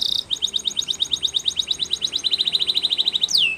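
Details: Spanish Timbrado canary song used for training canaries. An evenly paced chain of short repeated notes speeds into a tighter, clicking trill, ending in a single loud, falling whistle.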